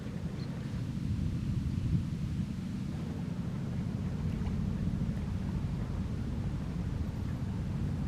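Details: A low, steady rumble of wind and water, possibly a boat engine, on Lake Garda in Italy, with no bird calls.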